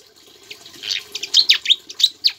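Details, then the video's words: Javan flycatcher in full song, including mimicked Ciblek phrases, used to teach other songbirds; dense high-pitched chatter, then a string of sharp, clear whistled notes and quick downward flicks about every quarter second. "BURUNG SIKATAN JAWA GACOR ISIAN CIBLEK,COCOK UNTUK PANCINGAN DAN MASTERAN"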